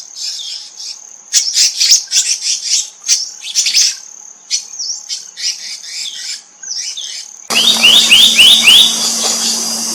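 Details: Black-naped monarch family with bursts of high chirping notes in loose clusters over a steady thin whine, ending in a fast series of sharp rising high notes above a low hum.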